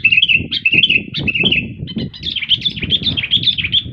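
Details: Sooty-headed bulbul singing energetically: short bubbly whistled phrases around a steady mid-high pitch, repeated rapidly in quick succession over the whole stretch, with a low rumbling background and faint flutters underneath.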